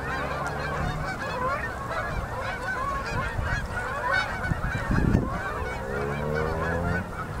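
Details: Endless flocks of Canada geese landing on a river in Manitoba at sunset, October 2018, during fall migration; thick honking chorus throughout, with a heavy low thump near the end and a humming rumble.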